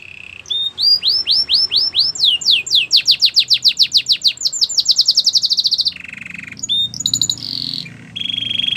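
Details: Canary training song: a long series of rapid rising whistled notes repeated several times a second, speeding into a fast trill, then a lower buzzy rattle and a short higher trill.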